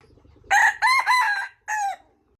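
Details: Red junglefowl in the wild giving a full crow, a hoarse opening note, a drawn-out wavering middle section and a clipped closing syllable, over a quiet low background hum.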